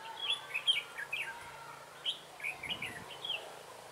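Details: Red-whiskered bulbul singing as a trapping decoy on 3 November 2017: a steady run of quick, sweet, slurred whistles and chirps with barely any pause, loud and close against a low hum.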